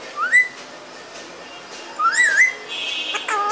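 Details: Pet parrot giving a rising whistle, a longer wavering whistle that rises, dips and rises again, then a steady high tone and a curved harmonic speech-like call at the close.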